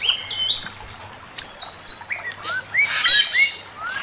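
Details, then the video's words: Male poksay mandarin, or Chinese hwamei, in master song: a sharp high whistle, then a string of clear rising whistled notes, with some scratchy notes in between. "Burung poksay mandarin suara masteran Poksay mandarin jantan"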